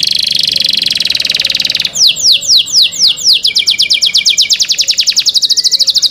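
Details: Cenkok canary song opening with a dense high buzzing trill, breaking into a run of rapid descending whistled notes, then a long even rattle of clipped repeated notes about eight per second.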